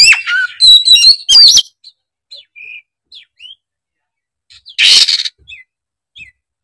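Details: Excited kacer (oriental magpie-robin) showing off its learned song material: an opening flurry of rich whistles, then scattered short soft notes and one harsh broadband rasp before a few faint chips.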